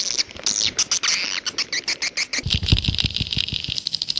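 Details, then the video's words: Edible-nest swiftlet in the 'jaguar' style: evenly spaced high chirps that merge into a dense twitter, joined near the end by low rhythmic thumps. "SUARA WALET jaguar BURUNG WALET"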